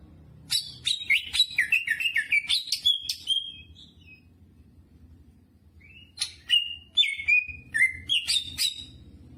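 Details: Vigorous song of a greater green leafbird filled with jamtrok phrases: a rapid string of chipping, slurred whistles, a quiet gap of about two seconds, then more ringing whistled phrases over a low background hum.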